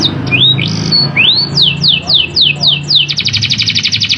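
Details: Canary singing in a sharp rolling style, used to train and stir other canaries into song: rising and falling whistled notes, then a run of rapid downslurred whistles ending in a fast, even high trill, with low background hum.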